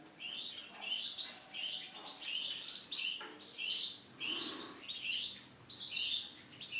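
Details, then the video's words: Male canary, Starblue type, delivering a continuous high warbling song of rolling trills and chirps in varied phrases, with faint low noise underneath. "CANARY JANTAN STARBLUE"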